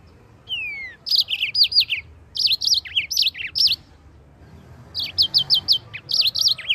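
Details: Yellow-fronted canary delivering long, rolling tutor song for white-eyes: a descending whistle opens, followed by tumbling high chirps and slurs, a pause, then a brisk series of evenly repeated notes.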